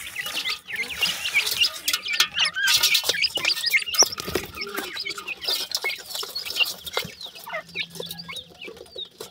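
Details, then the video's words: Busy, rapid cheeping from a brood of captive francolin chicks (dakhni teetar), about four peeps a second, with scattered clicks and scuffling behind. "beautifull new jora dakhni teetar chicks,sindhi teetar ki voice"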